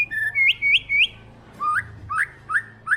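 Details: Murai batu trotol, a white-rumped shama, repeats clean upslurred whistles: three higher notes, a pause, then four lower rising whistles in an even rhythm.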